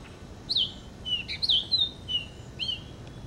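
A purple finch sings a bright, high warble of slurred, swooping notes, about seven quick phrases over three seconds, against a faint background hiss.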